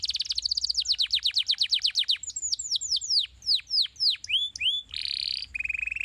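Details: Stimulating canary song: a rapid rolling tour of descending notes gives way to slower, deep downslurs, upturned whistles, a buzzy burst and a low, fast trill.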